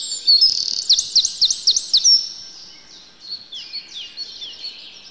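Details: Eurasian wren in a yard in winter, bursting into a loud, high song of rapid looping trills and bright whistled notes that tumble on for several seconds before trailing off.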